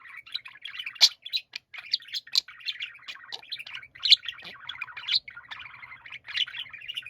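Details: Budgerigars singing as a group, with tumbling chatter of trills, clicks and squeaky chirps, and a couple of louder piercing notes. A faint low hum is heard toward the end.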